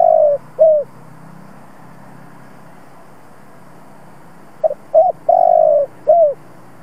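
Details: Spotted dove, an old decoy bird, cooing to stimulate other doves to coo: two short hooting notes, a pause, then a burst of short coos with one long flat note, over a steady low background hum.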